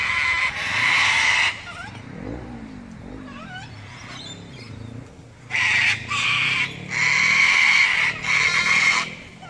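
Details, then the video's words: Sulphur-crested cockatoos at Robertson Park, St Lucia, giving harsh, raspy screeches of about a second each, a pause holding fainter lower whistled sounds, then a run of loud grating screams closely spaced. "Sulphur-crested cockatoos at Robertson Park, St Lucia"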